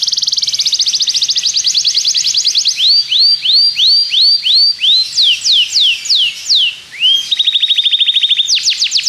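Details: Belgian canary song for training canaries: a fast trill, a string of rising slurred whistles, falling sweeps, then a low buzzy rattle and final downward notes.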